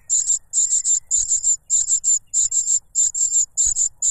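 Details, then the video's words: Noisy cuckoo chick competing for food from its foster father, which plugs its mouth with a butterfly; piercing high sibilant notes come in quick clusters of two or three, repeated steadily with short gaps. "The cuckoo bird is too noisy when trying to grab food杜鹃鸟抢食太吵闹了"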